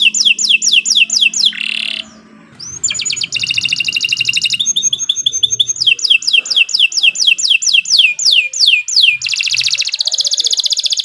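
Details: Strong canary song for training young birds: repeated falling slurred notes, brief pause, then long buzzy trills alternating with fast downslurred series, steady and loud throughout.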